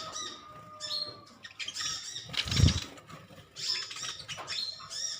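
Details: A colony of metallic-green sunbirds chirping at each other: dense high, scratchy chirps in bursts, with a loud low thump midway and a steady faint tone underneath.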